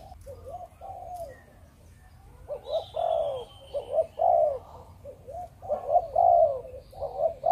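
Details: Spotted dove kept for breeding in Vietnam, cooing in soft low hollow notes grouped into uneven phrases, quiet at first then louder and more continuous, with a faint high whistle from another bird behind.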